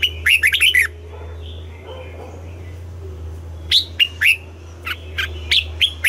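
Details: Red-whiskered bulbul singing in the morning for song training: a fast cluster of swooping chirps, a pause with faint background sounds, then a looser series of bright single notes.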